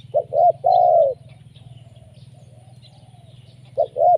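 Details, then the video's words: Lure call of a spotted dove: a three-note phrase of two short coos and a long falling coo, a quiet pause, then the phrase starting again, over a constant low hum. "Suara pikat tekukur,, gacor menekan"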